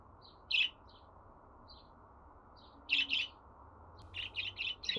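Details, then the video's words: Pet budgerigar giving scattered soft chirps and a louder double chirp, then a quick run of four or five chirps at the end. "Muhabbet Kuşu Sesi"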